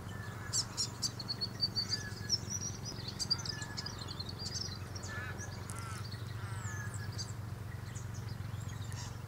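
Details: Probable grey fantail (a viewer's identification; first thought to be a willie wagtail or fairy wren) in an Aleppo pine, giving thin, high squeaky chirps and short twittering phrases in quick bursts over a steady low rumble.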